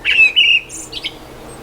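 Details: A blackbird singing right overhead gives a short song phrase: two mellow, fluty whistled notes, then a brief high squeaky twitter at the end.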